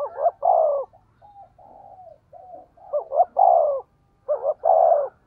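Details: Decoy spotted dove giving 'thúc gù' coos in the low 'giọng thổ' style: three strong phrases of quick double notes ending in a drawn-out, falling coo, with softer hooting notes between, clear and unaccompanied.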